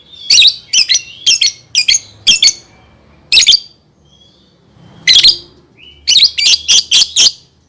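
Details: Lovebird chattering used as a lure for young birds to sing: harsh, squawky high chirps in quick clusters, with pauses of about a second between groups and a closing run of four rapid notes.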